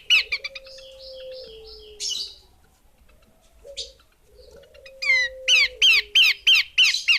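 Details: Calls of a female Horsfield's babbler, a few clipped chips and a rasp, then a lull with a low, gliding hum, followed by a brisk string of seven loud, downslurred notes.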